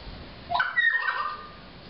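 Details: Pied currawong in Byron Bay, NSW, Australia: a single loud ringing call that sweeps sharply upward, then glides down in a drawn-out, slightly wavering tail, over faint background hiss.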